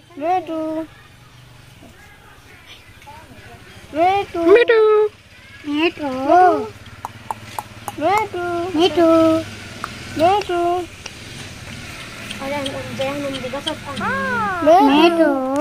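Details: Pet Indian ringneck parakeet talking: short bursts of tonal, voice-like syllables with wavering rising and falling pitch, separated by brief pauses, with a few quick clicks and faint background hum.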